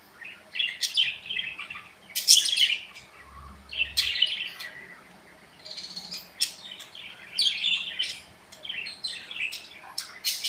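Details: Several pet budgerigars in an aviary chirp and chatter in bursts of bright, high twittering notes, with short pauses between the clusters and a quiet low rumble underneath.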